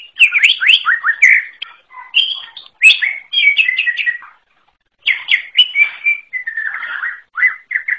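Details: Greater green leafbird from the forest in fast continuous song, tumbling rising and falling whistled notes mixed with chirps and short warbled runs, delivered in dense phrases with a brief silent gap midway.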